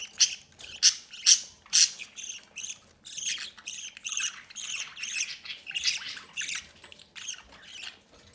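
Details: Budgerigar parents feeding a chick from the nest entrance: loud, scratchy squawks repeated roughly twice a second, the first few strongest, then a steadier run of softer rasping notes.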